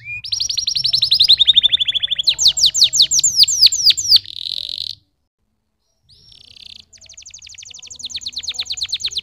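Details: Canary singing long rolling trills of rapid high notes, some steady and some falling, broken by a buzzy note and a short pause before a fresh fast trill starts.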